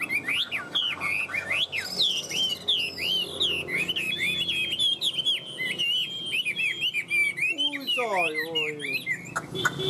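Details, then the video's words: Chinese hwamei, a Tam hoàng bird kept in a cage and carried while singing without pause: loud, high, fast-changing whistles with twisting slurs and trills, then a falling cascade of notes near the end. "Tam hoàng đẳng cấp - sách lồng hót 11 phút không nghỉ l Hoạt Họa Mi"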